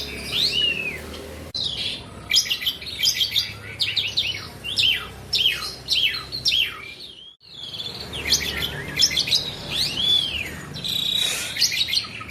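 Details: Nonstop song from a kept Asian pied starling: tumbling falling whistles, buzzy clicks and chatter, a brief break midway, then more looping whistled phrases.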